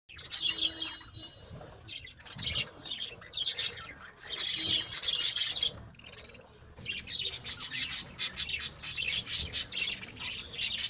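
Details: Pet lovebirds kept and bred at home, a flock giving bursts of shrill, harsh chirping and chattering, high and dense, in repeated clusters separated by brief quieter pauses.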